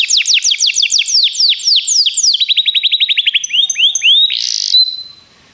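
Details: Singing Begie canary, a training recording: a long rolling trill of falling notes, shifting to a faster lower roll, then rising slurs, a brief buzzy burst and a fading whistle.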